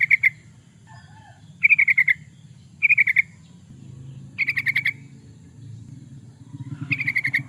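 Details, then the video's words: Lively yellow-vented bulbul song used as a lure and training master: short bubbly bursts of quick, slightly descending notes, repeated every second or so, over low background noise. "Suara burung trucukan, pancingan burung trucukan suara gacor"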